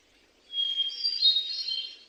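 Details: A thrush singing in the wild gives a brief phrase: a clear high whistle leading into a richer, warbling run of bright notes, with faint background hiss.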